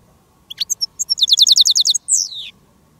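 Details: European goldfinch kept as a decoy (reclamo) on a silvestrismo field day, used with a female jarilla bird to call in wild goldfinches. Bright, rapid twittering of about a dozen clipped chirps, then a buzzy, falling slurred note.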